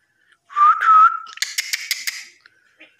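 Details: Home-kept common myna that copies human talk and calls its keepers mother and father; a clear, level whistle is followed by a rapid series of harsh, clicking buzzy pulses.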